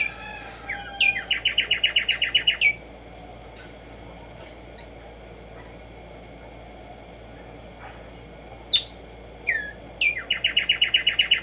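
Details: Tumba Yegua, the Black-striped sparrow, sings at morning: a loud rapid trill of some fifteen even notes, a long quiet gap, a few sharp upslurred whistles, then another fast repeated-note trill.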